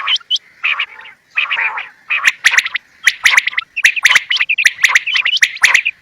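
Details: Quail (bater) calling in a dense, busy chatter. Squeaky, twisting notes and harsh bursts overlap almost without pause, with sharp clicking ticks mixed through the run.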